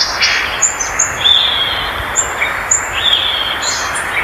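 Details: ['Violaceous euphonia giving scattered thin, very high whistles and short slurred notes at irregular intervals, some slightly lower and buzzy, against a soft, steady hiss.']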